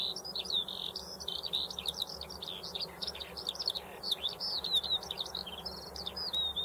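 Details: Continuous high warbling song of a Eurasian skylark, rapid varied chirps, slurred whistles and trills pouring out without pause, louder toward the end, with low background hum.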